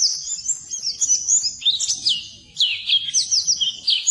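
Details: Training song of an Oriental white-eye for birds that will not sing: fast high-pitched twittering with quick downward-slurred notes, a brief dip midway, then a renewed burst of chirps.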